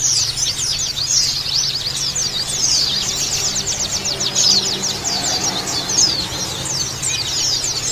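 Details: Many Oriental white-eyes chirping (pleci ombyokan) for bird therapy to make them chirp roughly and open their beaks: dense, quick, high-pitched twittering with sweeping chirps, continuous, faint low hum underneath.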